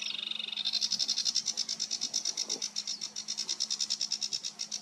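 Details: Song of a sedge warbler, recorded 28 June 2022: a brief whistled note opens into a long, even stream of rasping high buzzes repeated several times a second, over a faint low steady hum.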